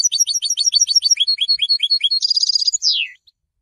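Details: Goldfinch song, for announcing presence and attracting females: a lively run of rapid high twittering notes turning into a buzzy trill, ending with a clear downward-slurred note and a short silence.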